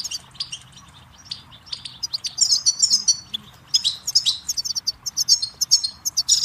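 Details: Goldfinch singing for training chicks and songbirds: after a quiet opening with a few chirps, it breaks into a dense, rolling twitter of high, sparkling, buzzy notes.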